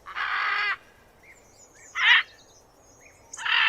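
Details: Macaw calling in a recording made with 8D audio: three loud, harsh, raspy squawks, the first long and the next two shorter, spaced over a couple of seconds, with faint chirps between them.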